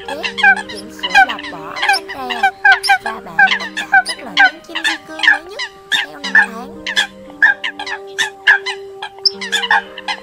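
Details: Eurasian coot flock calls from an October 2020 trapping lure: busy stream of short, harsh, nasal yelps in uneven clusters about every second, with long steady low drones beneath.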